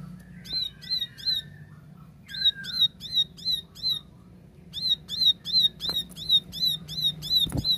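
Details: Tembakan song of a plain prinia, known locally as ciblek sawah, sung clearly: bursts of high, sharp repeated chips at about three a second, broken by pauses, with soft lower slurred whistles in the gaps.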